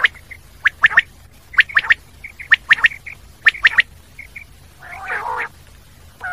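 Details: Common quail delivering a steady series of sharp three-note calls about once a second, with soft high chirps in the gaps and a single lower, rough nasal call later.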